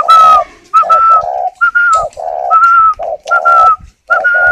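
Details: Captive spotted dove cooing while sitting on eggs, at a breeding garden near Ba Vi, Hanoi, Vietnam: loud, hollow coo phrases repeated about once a second, each a low double note with a clear higher tone, with a few clicks.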